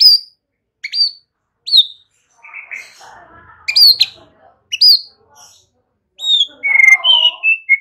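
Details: White-rumped shama singing as a lure to train young birds: sharp, high down-slurred whistles repeated at intervals, scratchy soft notes, and a closing run of varied whistled phrases.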